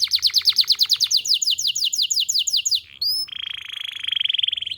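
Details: Canary singing in a fast gacor style, used to prompt other canaries to sing: rapid repeated high rising notes about three per second, then a short pause and a long buzzy trill.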